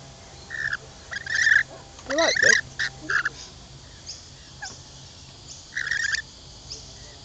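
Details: Lorikeets being hand-fed at a camping ground at Lane Cove near Sydney, Australia: shrill, rasping screeches in short bursts, several overlapping, with a brief wavering descending call in the middle and faint background hum.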